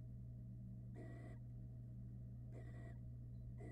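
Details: Begging barn owl young in a nest box in Florida as their father arrives with a rat; raspy, breathy hisses spaced over a second apart against a steady droning hum.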